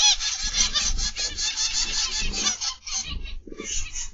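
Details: Aviary zebra finches, 29 November 2021, PM: rapid, dense nasal honking chatter from the flock, thinning into separate beeps toward the end, over soft low background noise.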